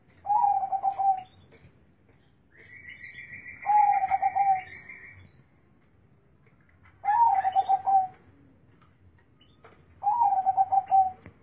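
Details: Zebra dove, called big-voiced and bassy, delivering four low rolling coo phrases about three seconds apart, with a higher buzzy tone from another bird overlapping the second phrase.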